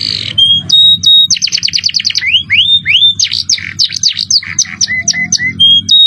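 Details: Canary singing a tutor-style song in the luxurious cengkok style with jerih voice: rapid trills of repeated high notes, rising swept whistles, buzzy slurred notes and clear sustained tones, loud and continuous.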